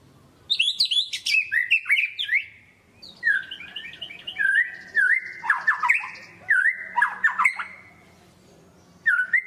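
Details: White-rumped shama belting out a long, varied song to provoke reluctant birds: swooping whistles and dense chattering phrases, repeated V-shaped notes, short gaps between bursts.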